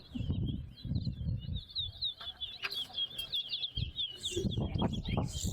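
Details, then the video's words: Towa-towa (chestnut-bellied seed-finch) singing in a bird singing competition at Betterhope ground: a continuous run of rapid, high, warbled and twittering notes throughout, over low crowd murmur, laughter and voices. "TOWA TOWA BIRD SINGING COMPETITION"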